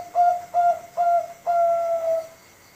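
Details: Bangkok zebra dove of contest quality, five months old, kept to encourage other doves to sing; three short coos then one long sustained note, mellow and level in pitch, with a faint background hum.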